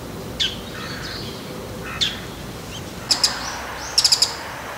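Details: Bull-headed shrike, one of several vocal types such as high-pitched calls, alarm, subsong, mimicry and begging. Scattered sharp high notes, then a quick cluster of three or four piercing chips near the end.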